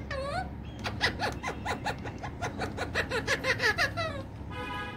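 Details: Pet rose-ringed parakeet indoors, said to speak Urdu/Hindi words, producing a rapid run of harmonic, speech-like syllables, roughly three per second, with rising and falling inflections, ending in a buzzy rasp.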